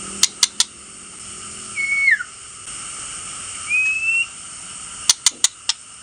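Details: Male white-rumped shama lure for provoking rivals: a whistled note that drops at its end, then a long rising whistle, framed by bursts of three or four sharp dry clicks at start and finish.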